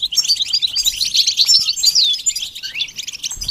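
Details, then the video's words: Goldfinch singing, a bird described as common in urban and rural areas and singing in spring and summer: a rapid, high twittering jumble of tinkling notes, short trills and bright upward and downward slurred whistles. "The basics of training the goldfinch to sing"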